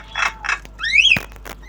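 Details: Tame Javan myna, a young bird learning sounds, gives two short harsh chirps followed by a clear rising-then-falling whistle and a sharp click, in a quiet room.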